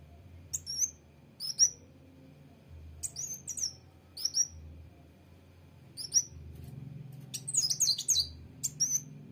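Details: Song of a sunbird known locally as kolibri wulung or mucang trotol: repeated short, very high, sharp chirps every second or so, ending in a denser run of tinkling twitters, with a steady low hum beneath.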